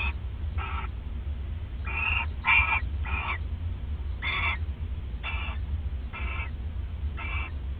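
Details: Owls bonding at the nest during the night of 29 December 2014; short hoarse rasping notes repeated roughly every second, some closer together, above a continuous low electrical-sounding hum.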